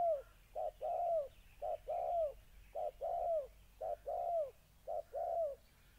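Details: Decoy spotted dove in a cage, molting, facing an aggressive wild dove, Gia Lai, Vietnam, 14 August 2020. Six regular phrases, each a brief hoot then a longer slurred coo, steadily repeated roughly once a second.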